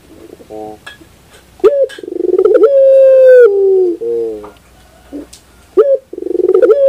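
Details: Collared dove repeating its song: a clipped opening note, a fast stuttering roll, a long level hollow coo, lower trailing notes, then the phrase starting again, with faint background clicks.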